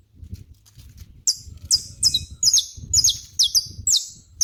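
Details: Saffron finch in a natural setting giving a steady series of sharp, high chirps about twice a second over low rumbling background noise.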